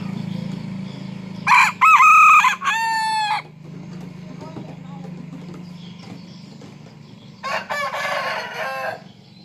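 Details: A Serama rooster (junglefowl-type chicken) crows in the morning, when it crows most, especially when let out of its cage and perched on a hand: a short, high, broken harmonic crow, later a rougher second crow over a low hum.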